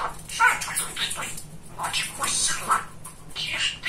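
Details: A chatty pet male budgerigar mimicking speech indoors: rapid, scratchy, high-pitched syllables in short bursts with brief pauses, the babble rising and falling over a faint low hum.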